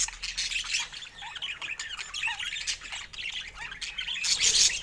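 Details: Budgerigars warbling in the morning, a raspy, squawking chatter with rising and falling squeaks, several birds calling at once, ending in a louder burst of harsh high calls.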